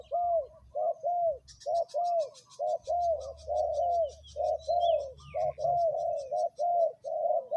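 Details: Decoy spotted dove set on the ground at a third spot, repeating mellow, hollow coos in quick groups of two or three, steady and regular. Thin twittering from other small birds runs in the background.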